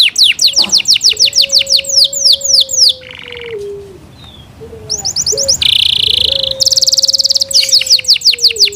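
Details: Yorkshire canary kept by its owners sings loudly: fast series of downward-sweeping whistled notes, then buzzy rattling trills and a dense harsh passage before the swept notes return, with a faint low steady tone underneath.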